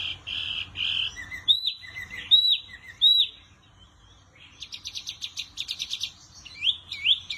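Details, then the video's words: Wambi song: flat buzzy whistles, then several arched, ringing whistled notes, a brief quiet spell, a rapid stuttering trill, and sharp rising chirps at the end. "Burung Wambi Mini Gacor Kicau Terbaik"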